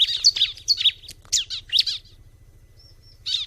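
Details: Bar-winged prinia singing in natural surroundings: quick high twittering phrases tumble together for two seconds, a soft thin whistle follows, then another brief chirpy burst, all over a faint low hum.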